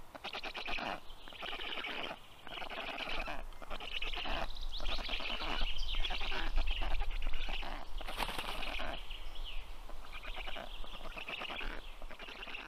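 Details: A female Black stork feeds her young at the nest on 18 June 2022, 10:37 a.m. Harsh, buzzy pulsed calls come in repeated bursts separated by short gaps, over low rumbling background noise.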